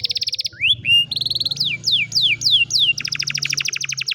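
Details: An old canary sings in the afternoon, mixing fast rolling trills with a run of sweeping downward whistles, then a rapid pulsed trill, loud and clear against a faint low hum.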